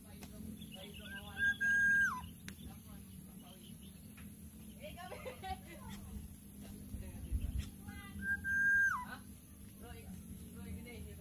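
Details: Young Greater Coucal chick at the nest, struggling to swallow a large food item brought by its parent; two drawn-out whistled notes, each dropping sharply at the end, about seven seconds apart, with softer chirps and rustling between.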